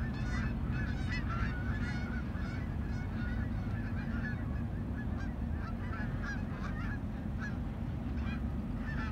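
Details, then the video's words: Canada geese honk as they approach and land. Loud clustered nasal calls come early, then thinner scattered honks, all over a constant deep rumble. "Canada Geese approach and landing"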